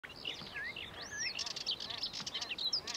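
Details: Sardinian warbler of the nominate subspecies, recorded in April 2024 at Lake Kerkini National Park, Greece: a rapid jumble of high, scratchy and swooping notes, with sharp clicks toward the end, over a steady background hiss.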